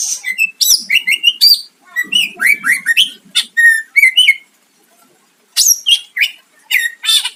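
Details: Greater green leafbird in full song, played to provoke a rival into answering: rapid bursts of varied whistles, rising and falling slurred notes and sharp chips, mixed with low harsh rasps, broken by a pause of about a second before resuming.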